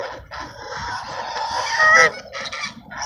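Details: At Sunset Park, ducks being fed at sunset give a continuous jumble of nasal, overlapping calls, with one louder, rising honk standing out near the end.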